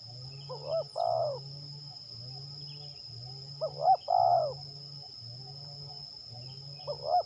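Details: Spotted dove used for decoy trapping at Liwa, West Lampung, Indonesia, cooing twice: quick rising hooted notes, then a longer wavering slurred coo, spaced a few seconds apart, over a steady high insect whine and a low engine-like hum.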